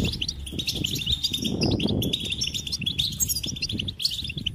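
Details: Goldfinch singing steady, high twittering phrases of bright chirps and buzzy trills, set against a constant low rumble and fluttering noise underneath.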